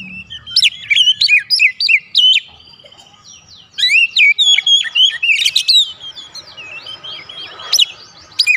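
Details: Oriental magpie-robin song played as a lure to provoke other magpie-robins into responding: rapid varied high whistles, slurred notes and sharp chirps in dense bursts, pausing near three seconds, then resuming with upswept and buzzy phrases.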